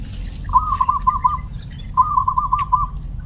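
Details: Zebra dove, or perkutut, with a clear 'crystal' voice, giving two short cooing phrases of rapid bubbly notes, each under a second long. A steady high whine and low background hum run throughout.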